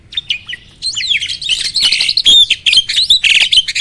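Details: Starling training song meant to make other birds sing back: a thin whistle leads into dense, scratchy, buzzing phrases mixed with rising and falling whistles, loud and continuous.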